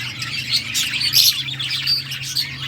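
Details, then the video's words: Budgerigars at play give quick bright chirps and scratchy twitters in a dense overlapping chorus, with a soft low hum beneath. "Budgies playing and chirping"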